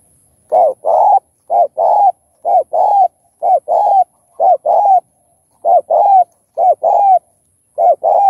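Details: Spotted dove cooing in soft, hollow paired notes, each couplet repeated about once a second in a steady, mellow rhythm, a mix of calling and cooing song types; nothing else is heard.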